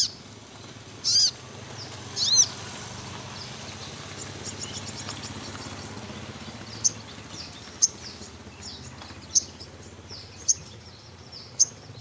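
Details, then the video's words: Olive-backed sunbird giving high, sharp chip notes about once a second, each a brief thin tick, after two louder early notes, over steady background hiss. "SogokOntong Gacor Ngleper"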